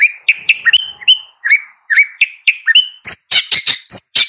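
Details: Long-tailed shrike repeating short upslurred whistled notes about every quarter second, then switching to higher sharp chirps and clicks in a quick run.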